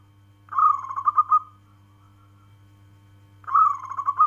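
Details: Local zebra dove calling: two phrases of rapid, bubbling coos, each starting with a brighter note and rolling into a quick trill of pulses, separated by about two seconds of quiet, over a steady low electrical hum.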